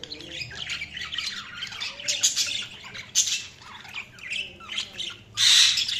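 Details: Several budgies chattering and chirping continuously, a dense tangle of scratchy warbles and squeaky notes, ending in a loud harsh squawk.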